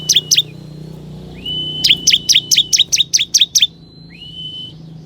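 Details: Lure song of a ciblek kristal (bar-winged prinia), used to call wild forest prinias: a long, level, high whistle leads into about eight quick, sharp chirps, with another steady whistle afterward. A faint low hum runs underneath.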